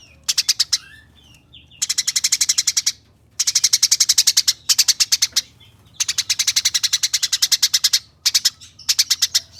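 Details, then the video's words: Eurasian tree sparrow, fast 'nyerecet' rattle used for training competition birds: repeated bursts of quick, high, metallic chirps, each a second or more long, with short silences between. "Gereja Nyerecet Ngeroll Abis"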